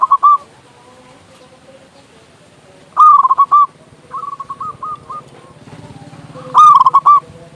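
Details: Chatty local zebra dove with a large voice, for luring and rousing doves: loud clipped coo bursts recur every few seconds, with a quieter run of rolling coos and a faint low hum.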